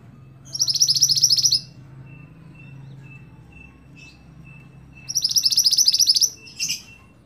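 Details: Scarlet-backed flowerpecker song for tutoring cage birds: two high, fast, shimmering trills about four seconds apart, the second followed by a short sharp note, over a low background hum.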